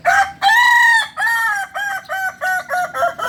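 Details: Native Solok rooster of the Kukuak Balenggek breed giving a long crow: a short first note, a drawn-out second syllable, then a run of six or more quick, evenly spaced notes in a stepped chain.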